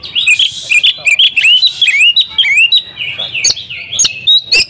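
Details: Oriental magpie-robin female calling to a male to rouse his song; clear looping and rising whistles in rapid succession, with occasional sharp high chirps breaking through.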